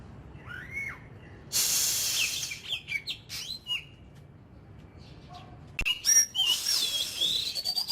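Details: Ornamental Oriental magpie-robin in 'kích lửa' fire-up singing, part of daily voice practice: short curved whistles, a loud hissing burst, scattered chirps, then a sharp click followed by rapid high warbled phrases.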